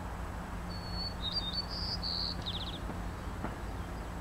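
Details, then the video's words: Migrant White-crowned Sparrow song at French Creek, Vancouver Island, BC, 4 May 2010, rather different from local breeders: a high thin whistle, brighter slurred notes, then a quick buzzy trill over low rumble. "Migrant White-crowned Sparrow Song"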